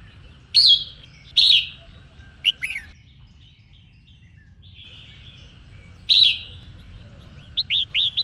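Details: Female red-whiskered bulbul singing to rouse males: loud warbled phrases, short sharp notes, a pause, another phrase, then a quick run of three or four clipped upslurred whistles.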